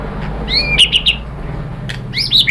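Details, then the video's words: Short white-rumped shama lure phrase, intended to provoke other birds into answering: a rising whistle followed by quick chirpy notes, a pause, then another burst of chirps, over low background hum. "KICAUAN MURAI BATU bikin NYAUT ikut BUNYI GACOR NGEPLONG BONGKAR ISIAN ¦ PANCINGAN MURAI"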